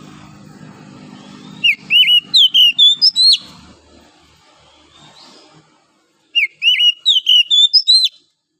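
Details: Wild forest oriental magpie-robin singing in the morning: two bursts of rapid, clear whistled notes that rise and fall, each phrase about one and a half seconds long, separated by a pause with faint background hiss.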